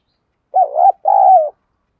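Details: Single đồng thổ-style urging coo from a spotted dove, used to provoke other doves to answer: a short wobbling note, a brief gap, then a drawn-out, mellow coo that sinks at the end. No other sounds.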